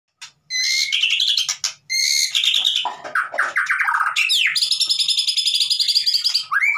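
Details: White-rumped shama song used to coax a silent bird into singing: rich, varied phrases of rapid buzzy trills, sliding whistles and chattering notes, ending in a long high rattling trill.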